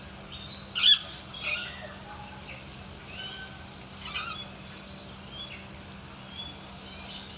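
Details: Lory from a bird collection, described as gacor (a lively, vocal bird), letting out a cluster of loud, shrill, grating squawks early on. Softer scattered squeaks and chatter follow through the rest of the recording.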